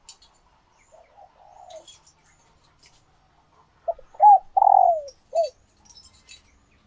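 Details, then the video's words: Female spotted dove in laying condition calling to stimulate males: soft low murmurs, then clipped notes, a loud long falling coo and a short last coo, with scattered faint high clicks in the background. "Tiếng Chim Cu Gáy Mái Chuẩn Kích Trống"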